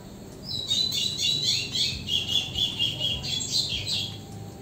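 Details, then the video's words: Rufous-collared sparrow singing in the ligeirinho song style: high whistled notes sliding down, with a short trill near the end, over a faint low hum. "3 Minutos de canto do TICO TICO ligeirinho"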